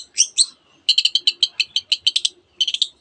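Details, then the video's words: Long-tailed shrike singing with mimicry of canary and other species: two sharp whistled notes, then a rapid even series of bright chirps, closing with a brief trill. "cendet gacor nembak nembak rapat isian kenari dan banyak jenis burung yang masuk masteran"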